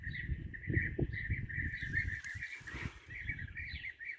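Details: A flock of European bee-eaters (Merops apiaster), recorded during bee-eater hunting, calls in a steady overlapping stream of rolling, liquid trills, with heavy low wind rumble underneath.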